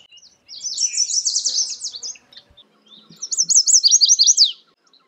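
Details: Chestnut-sided warbler (Setophaga pensylvanica), song.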